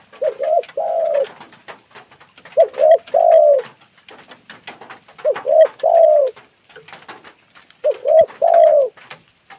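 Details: Spotted dove responding to a lure bird: low, soft cooing phrases of about three notes each, given in four bouts roughly every two and a half seconds, with quiet ticking in the background.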